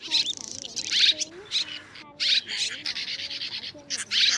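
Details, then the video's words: White-bellied, banded and grey-brown swiftlets calling the flock to roost, 2024 trapping recording: loud choppy bursts of high chirps separated by brief gaps, over soft gliding lower notes. "Tiếng ÉN GỌI NGỦ 3 LOẠI Én bụng trắng , én khoan rằng én mốc kết hợp ru ngủ lùm cả bầy"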